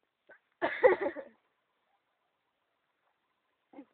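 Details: Junglefowl calling in the morning on a mountain near Ban Bo Kaeo, Samoeng district, Chiang Mai, Thailand, a cool highland area: one short, harsh, rich-toned call lasting under a second, with faint soft ticks just before and after and quiet otherwise.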